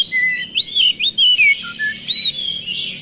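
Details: Oriental magpie-robin, a caged bird, in a lure recording to prompt a silent bird to sing; a string of clear whistled slurs, rising and falling, with two short low notes and a hissy background.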